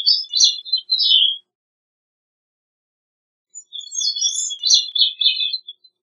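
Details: A gray-cheeked thrush sings high, thin phrases: a short burst of quick slurred notes, then after two seconds of silence a longer, wavering, downward-spiralling phrase of fluty notes lasting about two seconds.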